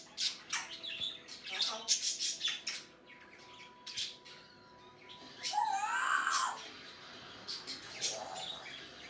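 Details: Pet African grey parrot indoors in May 2019 producing varied mimicked noises: clicks and squawky bursts, a long steady whistle near the middle, then a looping warbled phrase sliding down and up.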